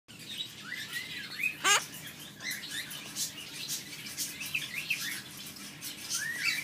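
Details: Yellow-collared macaw, a dancing pet-shop bird in Livonia, Michigan, gives one loud, harsh squawk, with brief rising chirps and whistles around it against a steady background hiss.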